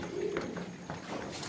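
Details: Racing pigeon in a loft being readied for summer breeding, giving a short low coo at the start, followed by soft rustling and faint clicking sounds.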